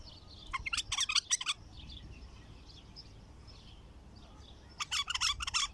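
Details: A wild, untrained Baghdadi bulbul in its first song season gives two short bursts of bright, chattering warbled notes, about a second each and a few seconds apart, over a low rumbling background.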